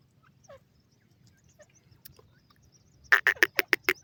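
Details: Female grey francolin with chicks: soft faint peeps at first, then a sudden burst of loud, harsh, rapidly repeated pulses in the final second.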